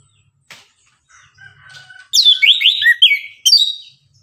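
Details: Orange-headed thrush singing lively in the morning: faint scratchy notes first, then a loud run of varied whistled and slurred phrases sweeping between high and mid pitch, ending in a bright high burst.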